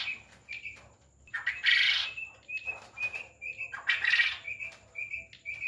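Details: Farm quail calling: short, clear chirps repeated about every half second, broken twice by loud, harsh, rasping bursts.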